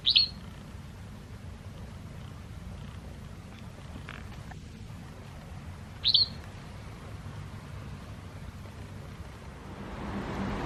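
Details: White wagtail, one of a pair followed as spring nears: two sharp, high, clipped chirps about six seconds apart, separated by quiet background hiss and low hum.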